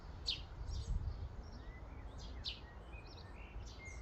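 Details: A flock of common starlings gathered at a feeding station: bright high chirps alternate with short whistled notes, with low rumbling noise underneath.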